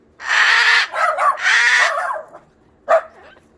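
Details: Pet cockatoo freaking out, said to be waking the neighbours: two long, harsh screeches run nearly together, then a pause and one short sharp squawk.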